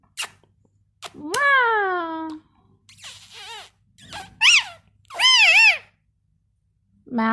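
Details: Pet parrot talking in Bangla, giving squeaky drawn-out whistled and voice-like phrases with falling and wavering tones, separated by short pauses, in a quiet indoor setting.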